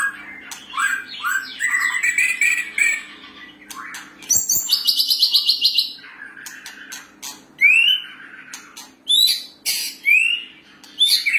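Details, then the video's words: White-rumped shama delivering a varied song of rich whistled phrases, rising and falling slurs mixed with harsh buzzy bursts and sharp clicks, phrases separated by brief pauses. "กางเขนดง White-rumped Shama"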